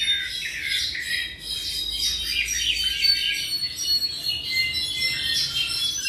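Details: A roughly seven-month-old tropical mockingbird gives a continuous string of varied chirps and short warbled phrases, fairly high-pitched, with faint steady high tones running underneath.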